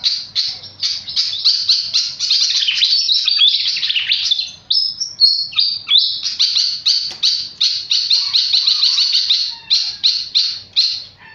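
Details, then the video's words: Flycatcher in very energetic song: a nearly unbroken stream of high, rapid chattering notes and trills lasting over eleven seconds, with varied slurred whistles in the middle. "Burung sikatan sangat gacor"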